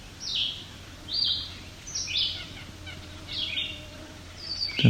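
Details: Red-eyed Vireo on July 17, 2019, on rocky alvar near Cape Chin North, Bruce Peninsula, Ontario, on a hot summer day. It sings short, slurred whistled phrases about once a second, each with a brief pause, over a low steady rumble.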